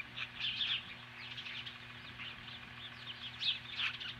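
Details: Osprey confronting magpies at its nest in Hellgate Canyon near Lolo, Montana, at 10:26 AM on July 15, 2015: two short bursts of high, sharp chirps, soft and partly blurred, with a faint steady low hum throughout.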